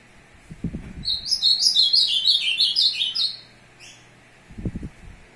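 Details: On 02/06/2022 an azulão courts a female with one lively phrase of bright chirping whistles, dropping in pitch across roughly two seconds, followed by a short extra note and low knocking noises.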